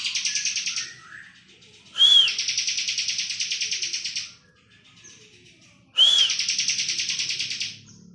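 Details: Bar-winged prinia singing ngebren: long, rapid, evenly pulsed buzzy trills, each introduced by a loud arched whistle and separated by quiet gaps of about one to two seconds. A low background murmur sits underneath.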